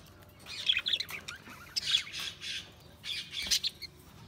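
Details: Budgies chirping in three rough bursts of scratchy squawks and short high tweets, with quieter chatter between them.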